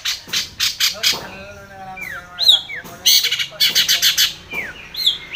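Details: Long-tailed shrike challenging a rival, played as a lure to provoke singing: a busy jumble of scratchy chatter, sliding whistled notes and rapid chips, loud and irregular throughout.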